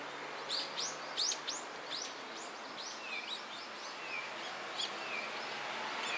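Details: Eurasian tree sparrows in a group at a Tenmangu shrine in Japan on 17 October 2016, giving a run of bright, quick chirps, some rising and falling, against steady background hiss.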